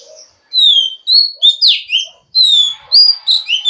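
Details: A female Oriental magpie-robin calling to stimulate a male, giving clear, high whistled phrases, some sliding down, others rising sharply, in quick bursts about every half second; no other sounds.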